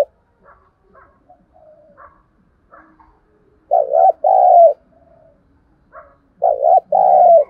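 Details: Spotted dove decoy calling to stimulate wild birds: two deep two-part coos spaced about three seconds apart, soft chirps and short notes from other birds scattered between them.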